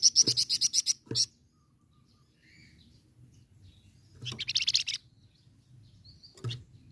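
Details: Flamboyan bird singing a chattering nyecret and rolling ngerol song, used as a tutor recording for other songbirds: a fast high rattling trill, a sharp chip, a short pause, then another buzzy high trill and a brief squeaky note over faint hum.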